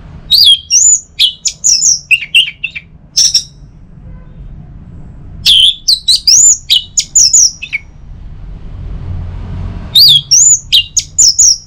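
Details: Orange-headed thrush song used in the morning to set other birds singing: three energetic bursts of shrill whistles, upslurs and chattering notes, each a few seconds long, with quiet gaps between them.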